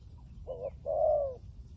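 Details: Single phrase from a decoy spotted dove with liu tan voice, luring wild doves: a short low coo then a longer, fuller, slightly falling coo, over faint background noise.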